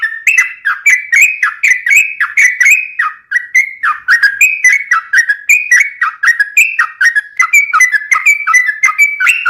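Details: Sooty-headed bulbul in lively song, a steady run of bubbly whistled notes that bend down and up, repeated several times a second without break.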